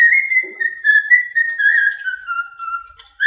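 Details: Pet cockatiel whistling the tune "I Love Me Some Me": a clear, pure whistle gliding slowly downward in long connected notes, ending with a short rising note.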